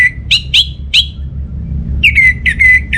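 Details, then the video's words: Orange-headed thrush singing, played as a lure to get home birds singing: three sharp upward-flicking whistles, a pause, then a rapid series of even, ringing whistled notes. "ANIS MERAH Mau Nyaut Gacor"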